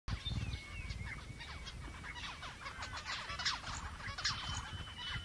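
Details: A busy flock of Australian zebra finches (chestnut-eared finch, Taeniopygia castanotis) chatters with overlapping nasal, toy-trumpet calls over a low rumble.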